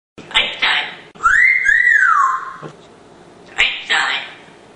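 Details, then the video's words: Pet African grey parrot, a male hatched in 1997 and kept at home in Texas, saying his own name: two short speech-like syllables, a clear whistled tone rising then gently falling, then two more syllables, indoors. "Einstein saying his name! - Einstein the Talking Texan Parrot"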